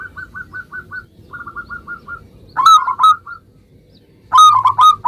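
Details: Song of an energetic local zebra dove, meant to draw an instant reply from other zebra doves: soft rapid notes in short runs, then loud stuttering coos in two bursts over a quiet murmur.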